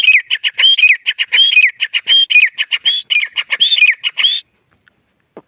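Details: Grey francolin gives a sustained, excited chatter of rapid, shrill, repeated notes for about four seconds, each rising then dipping. It then stops abruptly, leaving near silence with a faint tap.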